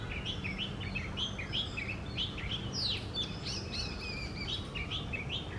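Oriental magpie-robin singing a varied run of sweet whistles, rising slurs and chirps, several phrases a second, over steady low background rumble.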